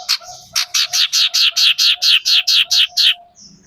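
A Common iora gives a fast, harsh chattering run of about a dozen rasping notes, roughly five per second, then stops with a brief high note after it.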